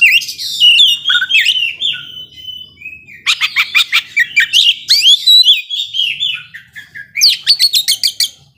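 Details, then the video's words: Oriental magpie-robin belting out 'ngobra' song, said to provoke magpie-robins slow to anger: varied slurred whistles, then long rapid trains of sharp clicks and chips mixed with warbled notes, repeated in bursts. "Kacer gacor ngobra bisa memancing emosi kacer yang lambat emosi"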